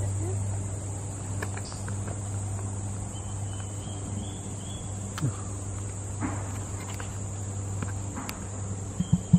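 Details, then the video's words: Emu at Hatley's Crocodile Adventures making its drum noise: a deep, steady low thrum that runs almost unbroken for eight seconds, over a high, constant insect hiss and a few faint clicks. "Emu listen to the drum noise they make"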